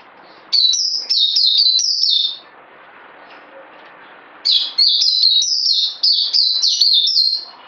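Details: A bird delivers two fast runs of ringing, high whistled notes, each note slurring downward, the second run longer, with a two-second quiet gap between them.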